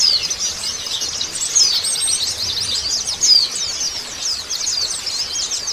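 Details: White-eye song for post-moult stimulation: rapid, tightly packed high chirps and squeaky trills run continuously, with a few louder sharp whistled notes standing out.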